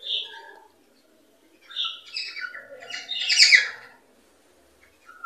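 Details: Cockatiel (Nymphicus hollandicus) song used to stimulate breeding: chirps and warbling whistles in short bursts, with a brief harsh, rising squawky phrase near the end.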